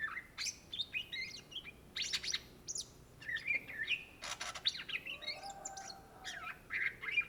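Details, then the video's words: Cucak ijo (greater green leafbird), an Indonesian native species, singing busily: harsh chattering bursts mixed with slurred whistles and scratchy notes in a crowded, varied phrase sequence. "SUARA BURUNG CUCAK IJO GACOR , TELER"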